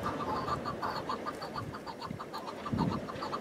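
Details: Wild chukar partridge calling in spring mountains streaked with snow, heard from a hunting hide on cold rock; rapid, evenly repeated clucking notes run through the whole stretch over a low wind rumble.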